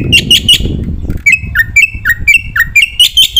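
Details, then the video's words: Black-winged myna in a masteran training recording: three quick chirps, then a series of clear whistled notes, some dipping low then rising, repeated about twice a second over a low rumble. "masteran jalak putih gacor full isian sekali dengar semua burung jalak terpancing emosi"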